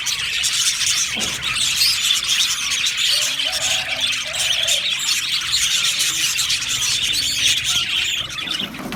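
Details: Happy aviary budgies in full chorus, thick high twittering and chirping throughout, a few lower drawn-out squawk notes mid-way, and a brief lull at the very end.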